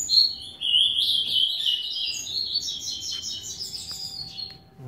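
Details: Rusty-collared seedeater, a captive eight-month-old male at home, singing a long, fast, warbling run of high notes, sliding and trilling for nearly five seconds, with a steady low hum and room noise beneath.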